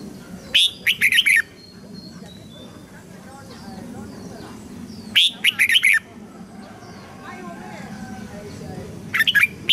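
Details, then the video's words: Red-whiskered bulbul singing as a training voice for young white-cheeked birds and to stir newly caught birds into song: three short bright warbled phrases spaced several seconds apart, each a quick run of rising and falling notes, over a low steady hum. "Chào mào luyện giọng giúp má trắng học giọng hiệu quả, kích chim bổi nhanh hót và căng lửa."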